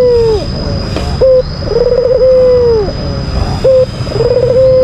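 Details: Calls from a kept albino Barbary dove, used to rile a rival bird. A brief note is followed by a rolling, burred coo that stretches out and sinks in pitch, heard twice over a constant high-pitched hum and background rumble.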